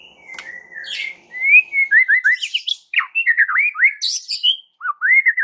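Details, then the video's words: Provocation song of the white-rumped shama, used to make a bird that rarely sings turn aggressive: a long whistle, then a rapid series of rising and falling slurred notes with a few high bursts, nearly continuous. "PANCINGAN Murai Batu Sangat EFEKTIF untuk Murai Batu kurang GACOR jadi NGAMUK"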